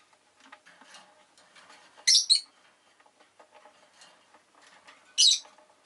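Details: Two loud, harsh, high chirps from a pet rosy-faced lovebird stand out over faint, steady background murmur and softer scattered sounds, consistent with noted street noise from cars, motorbikes and bicycles.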